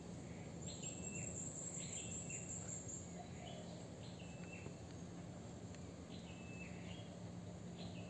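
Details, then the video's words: Blue-crowned hanging parrot lure call meant to provoke rival birds: short, high, sharp squeaky notes in quick repeated bursts, with a steady insect buzz and low background noise. "SUARA SERINDIT PALING KARAS"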